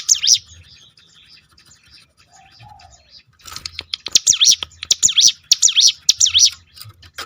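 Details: Hill prinia (ciblek gunung) rolling 'tembakan' song used to provoke other birds into singing: a pause, then a run of sharp, high V-shaped chirps repeated quickly from about the midpoint.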